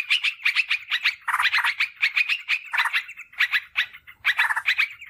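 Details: Lure call of a sooty-headed bulbul, meant to attract wild birds and to train kept birds: rapid runs of bright, chattering notes in quick succession, broken by short gaps and occasional harsher bursts.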